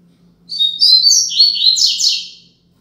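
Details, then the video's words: Double-collared seedeater singing the Braddock 'Tui Tui Zel Zel Top' phrase used as a tutor song for young birds: bright high whistled warbles rising and falling, closing with two strong buzzy descending notes, over a soft steady hum. "Tui Tui Zel Zel Top - Coleiro Braddock"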